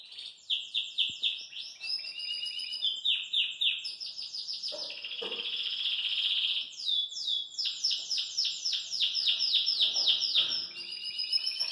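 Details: Caged Belgian canary singing cheerfully while hopping in its cage. Long run of fast, high, rolling trills and repeated descending sweeps that change tempo and pitch from phrase to phrase, all bright and continuous.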